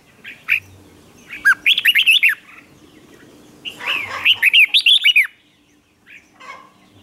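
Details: Red-whiskered bulbul in a singing contest aimed at provoking other birds: two rapid bursts of about eight sharp, wavering whistled notes each, separated by a pause, with faint chips afterward.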